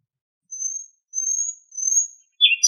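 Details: A common nightingale (Luscinia megarhynchos) in Greek nature sings three long, pure, high whistles, each slightly rising and about half a second apart, then breaks into a brief harsh rattle.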